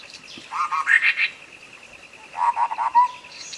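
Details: Clean sooty-headed bulbul song used as tutor material to get a non-singing bird calling: two brief cheerful, bubbling phrases, the second ending in a falling slur, with a faint steady high tone throughout.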